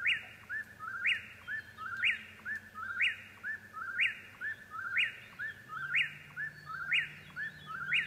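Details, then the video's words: Eastern whip-poor-will singing at night repeats its whistled three-note 'whip-poor-WILL', ending in a sharp upward snap, about once per second, over a faint low hum. "Whip-poor-will's Serenade"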